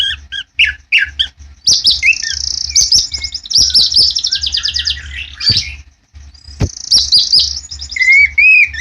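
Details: Farm-kept white-rumped shama singing loudly: short chips, then extended high buzzy rattling trills broken by a pause, ending in rising whistled notes.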